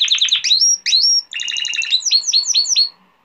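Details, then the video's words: Male canary song for training young canaries, with quick falling chirps, a bubbling trill, then a series of evenly spaced whistled downslurs. "تغريد ملك الكناري ذو حنجرة الذهبية لتحفيظ صغار الكناري"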